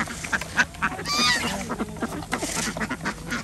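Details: Domestic ducks on a village organic duck farm in Andhra Pradesh during daily feeding, kept with chickens and geese; scattered nasal quacks over busy flock noise, with a few higher whistled and honking notes.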